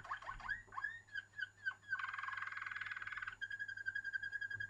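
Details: Waterslager canary delivering bubbly liquid notes that run into a long fast rolling trill, then a steady repeated whistled tour, with low hum in the background.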